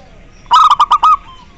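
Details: Zebra dove song, intended to arouse mating urge and prompt other doves to call: one short rapid series of five clipped, resonant cooing notes over about seven tenths of a second, ending in a slightly longer note, against low background hiss.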